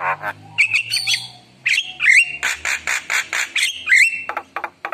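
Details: Spontaneous Javan myna song, gacor and packed with rich fill-in phrases: whistled notes that bend up and down alternate with coarse, scratchy bursts, in an irregular, lively pattern.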